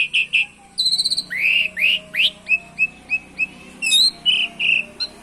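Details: Asian pied starling singing a spirited song with canary-style phrases, used to spur other birds into song; clear whistled notes, upswept slurs and short repeated chips at a brisk, uneven pace.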